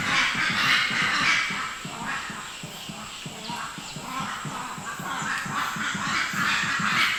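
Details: An Invisible rail (Habroptila wallacii) of Sulawesi, one of the hardest birds of the area, calls loudly with harsh, rapid notes, about four a second, in a steady churning series; a voice or laughter murmurs faintly underneath.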